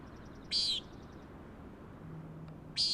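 Common Nighthawk giving two harsh, nasal, buzzy peent calls about two seconds apart over the steady roar of crashing surf.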